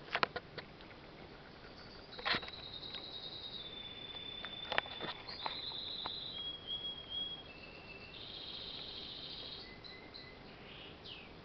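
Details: A pet bird, Leo, sings quietly: thin high whistles, some held steady and others sliding down, among soft clicks and tapping. He stops singing whenever his owner comes near.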